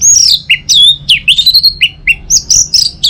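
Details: Loud, continuous orange-headed thrush song from Singaraja, North Bali, meant as a morning lure to get birds at home singing: dense sequence of sharp high whistled notes, downward slurs and short chirps, delivered without pause.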